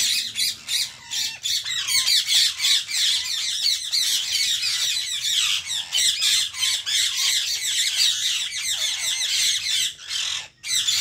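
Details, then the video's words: Pet ringneck (rose-ringed parakeet), a talking parrot, gives harsh, rapid squawks and screeches, about three a second, shrill and high-pitched, with a few lower whistled notes between bursts. "Ringneck Talking Parrot Natural Sounds/Voice"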